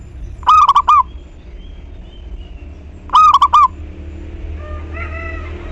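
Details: Song of a local zebra dove, played to prompt other doves to answer: two fast burbling phrases of four rippling coos about 2.6 seconds apart, followed by softer whistled notes from another bird.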